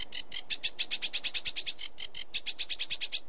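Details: Sedge warbler giving a fast, unbroken series of grating, buzzy notes, about three per second or more, with only brief pauses in the chatter.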